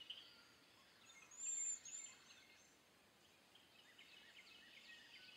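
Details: Cedar waxwing giving thin, very high-pitched hissing whistles: one drawn-out whistle, then a shorter one about half a second later, with quieter faint chirps and a steady hiss of background noise.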